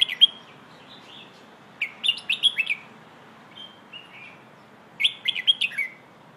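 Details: A red-whiskered bulbul sings bright, liquid chirping phrases in three bursts, with a few softer, lower whistles in between, in a "hoot-song" style used to train young birds. No other sounds.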